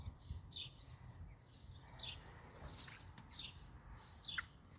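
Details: Young Eurasian blackbirds with their family at the nest: faint, high, squeaky call notes come irregularly, about four in five seconds, with soft rustling and fluttering sounds between them and a low background rumble.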